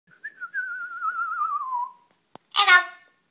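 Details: A 20-year-old pet double yellow-headed amazon parrot talks with its owner. It gives a long, wavering whistle sliding slowly downward for about a second and a half, then a short, harsh, voice-like squawk.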